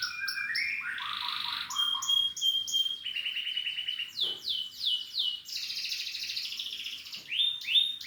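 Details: Canary song in rapid changing phrases: clipped high notes, a long rattling trill, a held whistle, rolling slurred trills and bright buzzy passages, continuous and loud.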